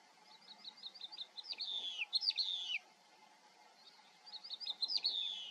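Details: Eurasian skylark singing: quick strings of high, clipped chirps speed up into slurred, downward-sweeping warbled phrases, pause briefly, then start again with another rapid run of chirps over a faint, steady background hum.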